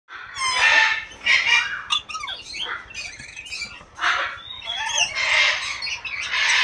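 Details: Brown lory giving loud, harsh squawks in bursts, with short screechy and chattering notes between them, some strained rising whistles near the start.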